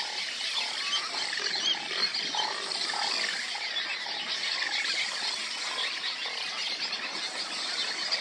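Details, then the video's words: Juvenile Roseate Spoonbills, fledged from their nests at a Texas nesting colony, beg parents for food in a steady, raspy, wheezing chatter, many voices overlapping into a dense hiss, on a late June morning. "Juvenile Roseate Spoonbills beg to be fed"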